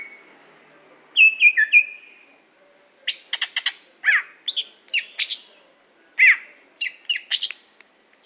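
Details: Greater green leafbird from Aceh, a competition bird, singing a varied song: sliding whistled notes near the start, then bursts of rapid sharp chirps and downslurred whistles in quick phrases, clear with little background.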